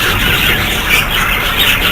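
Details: Budgerigar flock in a bird setup, many birds chattering together in a steady wall of shrill chirps and squeaky warbles, calls overlapping without a break.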